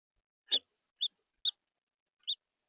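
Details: Red house finch in central Florida: four short, bright chirps, spaced about half a second apart with a longer pause before the last, against a quiet background.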